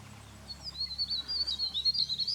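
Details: White-throated laughingthrush recorded in May 2016 at Chopta in Uttarakhand, India, giving a rapid, high-pitched twittering chatter that swells and grows louder toward the end, over a faint low rumble.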